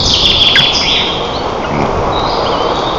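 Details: Nest-camera recording from Lower Kama National Park, Tatarstan, 25 June 2024: white-tailed eagle parents feeding eaglets at the nest. Loud high squealing with a few clicks opens the clip, then fainter thin calls continue over hiss.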